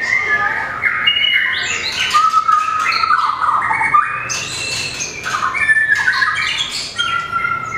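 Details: White-rumped shama, small long-tailed bird in competition singing with tail beating; rich stream of varied whistles, rising and falling slurs and harsh squawky bursts, loud and continuous over the whole stretch.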